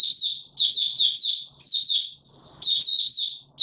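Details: Mata Puteh, a caged white-eye, in opening song on 31 December 2021: short, lively clusters of high slurred chirps, roughly one burst per second, over a faint low hum.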